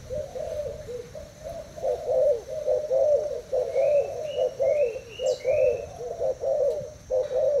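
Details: Cooing duel between a caged Thai-type spotted dove and a decoy bird: soft, throaty coos that swell louder and repeat rhythmically, with quick rising whistles from another bird in the middle.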